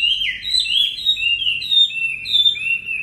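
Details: Short burst of caged Chinese hwamei song for training, with clear, fluting whistles gliding up and down in quick succession.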